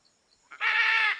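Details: A macaw, heard in nature, lets out one drawn-out, grating screech of about half a second, buzzy and full of stacked harmonics, rising abruptly out of near silence.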